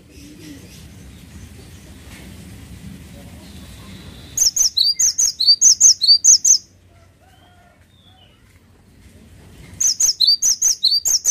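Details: Cinereous tit singing vigorously: two bursts of high, sharp whistled notes in quick two- and three-note phrases, the first lasting about two seconds, then a quiet pause before the phrases resume. A low background hum comes before the song.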